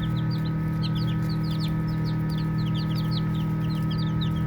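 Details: Baby chicks chirping as they play. Short high peeps with a falling slur come in scattered clusters of two or three, several birds overlapping, while a low hum runs constantly beneath.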